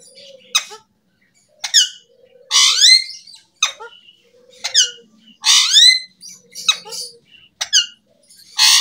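A parrot gives harsh, raspy squawks, sharp clicks and bright upslurred whistles in short bursts about every second or two, with faint low tones between them.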